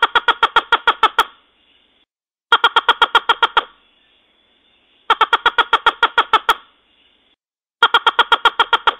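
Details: Red-legged crake giving bursts of about nine loud, nasal, evenly spaced harsh notes, each burst lasting just over a second and repeated roughly every two and a half seconds, with clean silence between and no other sounds.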